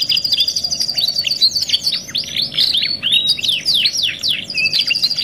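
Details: Domestic canary singing a luxury 'masteran' tutor song labelled 2 in 1, used as therapy for other canaries: rapid high trills alternating with looping downward-sweeping whistles, unbroken throughout, with a faint steady low hum underneath.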